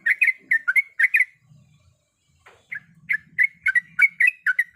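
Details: Female yellow-vented bulbul calls the male with bursts of quick, bright chirps, a one-second pause with a soft rustle, then another fast run of clipped notes.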